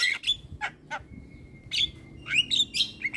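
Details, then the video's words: Javan myna calling for a playback to stimulate silent mynas: a few sharp rasping notes, a long thin steady whistle, then a burst of squeaky chattering phrases. "Jalak kebo gacor"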